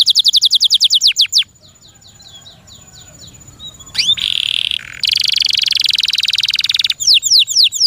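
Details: Captive canary singing a series of quick falling whistles, a soft pause, then rolling buzzy trills and another burst of sweeping notes.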